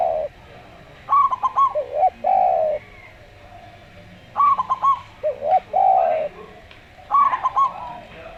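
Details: Local zebra dove singing slowly, three phrases of rapid clipped notes each ending in long, buzzy, down-slurred coos, quiet gaps between.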